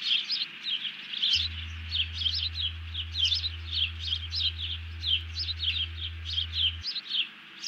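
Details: Alerting bald eagle, fish just grabbed, mate hitting the deck, 31 July 2020: sustained stream of sharp, piping chitters repeated in tight clusters across the whole stretch.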